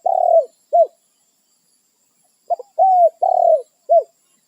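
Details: Wild spotted dove calling to its companions, a territorial bird that confronts intruding doves. Low, mellow coos: two short notes, a pause of about one and a half seconds, then a quick stutter and four more hooting coos, with no other sounds.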